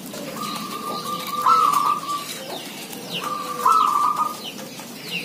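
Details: Zebra doves, village birds with many calling together; two bursts of rapid, trilled mid-pitched cooing about a second long each, with fainter, lower, drawn-out coos and a faint higher bird chirp in the background.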